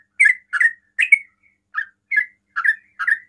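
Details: Sooty-headed bulbul in rapid 'ropel' song aimed at baiting other bulbuls to reply; seven loud, throaty chirps with a slight pause midway, each note quickly sliding down.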